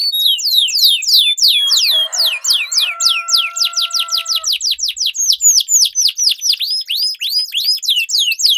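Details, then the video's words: Canary performing a long rolling song as a lure for competition birds, quick descending chips in continuous series, with a brief low hum and drawn-out tone in the background near the start. "Duel Burung Kenari Suara Merdu Ngerol Panjang || Pancingan Ampuh Kenari Macet Gacor Ngerol Panjang"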